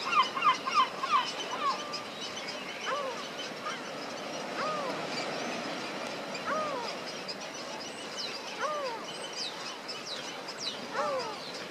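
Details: Adult and three juvenile yellow-legged gulls (Larus michahellis) at Alvor, Algarve, Portugal: a quick run of short nasal notes, then drawn-out rising-and-falling mewing cries repeated about every second, other gulls calling behind.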